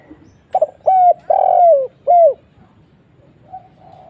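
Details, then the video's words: Lure call of a spotted dove, a stuttered opening followed by three strong coos, the drawn-out middle note slurring down; a faint distant answering coo follows after a pause. "suara burung tekukur kuk 1"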